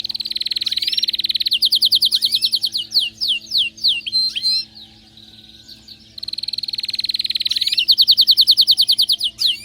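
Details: Excited canary song alternating rapid, rattling high trills with runs of crisp down-slurred notes, a quiet gap of a second or so, then the trill returns strongly.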